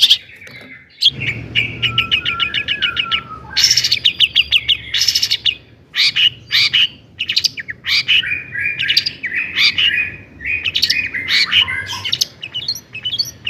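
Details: Long-tailed shrike singing to provoke rival shrikes, a varied song full of mimicked phrases: rapid chattering trills, whistled notes and harsh bursts alternating through the recording, with faint low hum behind.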